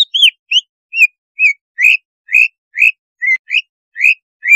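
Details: Greater Green Leafbird song used as a breeding-arousal lure to make a bird aggressive: bright arched whistles, some dropping, some rising, repeated roughly twice a second with clean gaps between them.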